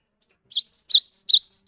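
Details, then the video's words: Bright, rapid song of a nervous 'wingko' cinereous tit used to prompt other tits to sing: a soft first note, then loud repeated phrases pairing a high steady whistle with a rising slur. "GELATIK BATU GIRAS TAPI GACOR COCOK UNTUK PANCINGAN GELATIK BISU"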